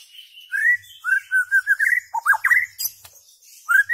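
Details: White-rumped shama singing, a recording meant to teach goldfinches and hybrids rare notes; smooth sliding whistles link into a continuous warbled phrase, broken by a couple of sharp flicked notes, then a brief pause before another rising whistle.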